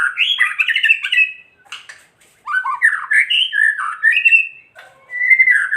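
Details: White-rumped shama delivering kretekan song to provoke rival shamas: fast jumbled warbling, a short gap with clicks, then varied whistled phrases stepping up and down, closing on a sustained whistle.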